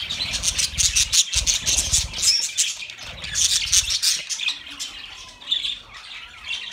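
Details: Pet budgerigars, chirping meant for lonely birds: rapid, loud high chatter in pulsing bursts, about three notes a second, with low thumping in the first four seconds.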